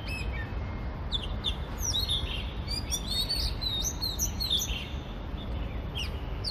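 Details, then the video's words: Varied melodious song of an Oriental magpie-robin, Hong Kong, phone recording: clear whistled notes and fast slurred phrases in bursts, some steady sustained tones, over continuous low-pitched background noise. "Song of Oriental magpie-robin (Copsychus saularis)"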